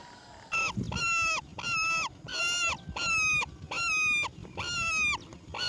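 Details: ['Roller chick as its mother brings black crickets to eat: a run of six strident, ringing calls, each around half a second with a sharp start, coming in steady succession over quiet background rustling.']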